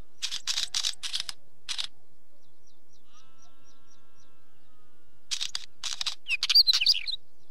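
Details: Wheatear delivering two dry, chattering runs of clicky notes, the later one ending in squeaky, jumbled whistles. Another bird's soft, even chirps fill the pause, and a low, faint drawn-out tone passes.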